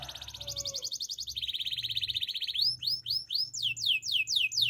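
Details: Russian canary song: a high rapid rolled trill shifts to a lower buzzing roll, then into a series of loud, sweeping downward slurred notes repeated about four per second.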